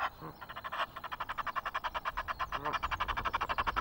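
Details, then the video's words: Egyptian geese recorded by webcam at Loch of the Lowes, Scotland, on 5 March, calling noisily: a rapid run of harsh, nasal, pulsed notes at about four per second, steady and unbroken through the whole stretch. "Egyptian Geese, noisy"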